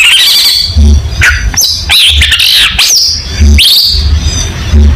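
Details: Cendet, the long-tailed shrike, in lively tutor-recording song: sharp upward-swooping whistles and harsh squawky notes alternate in fast bursts, with a constant deep hum beneath.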